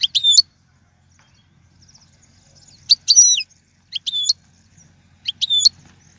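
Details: European goldfinch song for training young birds, heard as four short, sharp twittering phrases spaced about a second apart with near silence between them.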